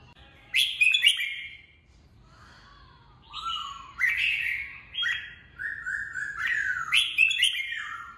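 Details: Red-whiskered bulbul, a trained fighting bird, opening with a loud burst of bright chattering notes, then a quiet gap, then a series of whistled phrases rising and falling, some held steady.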